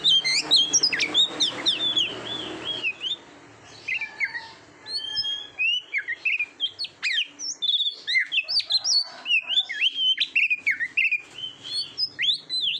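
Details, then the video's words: Oriental magpie-robin singing for a training recording for competition birds. A noisy, chattering passage opens it, then a pause with scattered whistles, then a dense run of rapid, sharp whistled notes. "SUARA KICAUAN BURUNG KACER TERBAIK"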